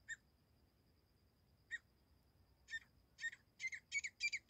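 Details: Grey francolin, known locally as teetar, in a recording used as a hunting call: a few spaced, harsh chirping notes, then a quickening run of rough, squawky notes. A faint steady high tone runs underneath.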